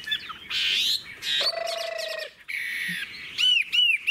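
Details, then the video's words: Adult wild-caught Chinese hwamei singing richly: loud varied whistled phrases, a long steady buzzy trill, then a run of looping, rising-and-falling whistled notes repeated several times. "Họa mi già rừng hót hay"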